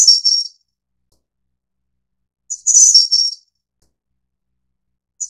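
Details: Ficedula hyperythra innexa, the Taiwan endemic subspecies of Snowy-browed Flycatcher, gives a closing fragment, one full high jingling whistled phrase, and a brief opening note of another, spaced about two and a half seconds apart.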